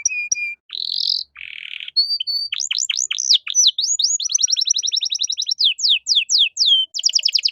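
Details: Canary singing a masteran track meant to tutor caged birds with cengkok mewah: opening short whistles and a buzzy burst, then varied rising and falling slurs leading into rapid rattling trills and repeated swoops.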